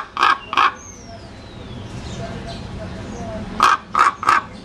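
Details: Common raven croaking: five harsh, hoarse calls, a pair at the start and three spaced about half a second apart at the end, with faint background noise between.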